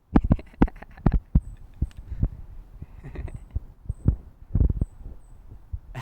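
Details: Pileated woodpecker pecking at wood on an October morning, tossing little pieces of wood down. Loud, irregular knocks and thumps come in uneven bursts, some clustered close together, with quieter gaps between them.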